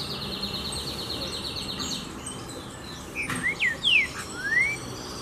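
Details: Trinca-ferro, or green-winged saltator, 'pura fibra' song: after a quiet start with faint distant chirps, a burst of loud whistled slides comes, a short rising note, a sharp falling whistle, then a long upward-sweeping whistle.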